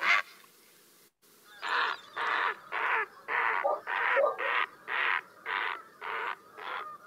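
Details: Great Blue Heron giving about ten harsh, raspy squawks in a steady series, roughly two each second, with a faint background hum; barking dogs may also be audible.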